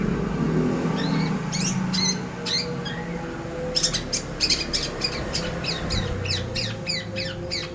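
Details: Long-tailed shrike song used as a training lure for songbirds: sharp, harsh, clicking notes in short uneven runs, quickening in the second half, over a steady low hum and background noise.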